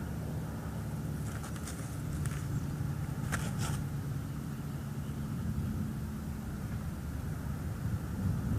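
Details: Low steady engine rumble dominates throughout, broken by a few brief clicking knocks, with no animal calls.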